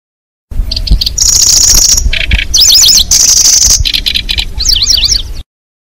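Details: Trapping lure of the zitting cisticola: quick high chirps lead into long buzzy high tones, quick zigzag trills and lower rasping bursts, looping steadily for about five seconds.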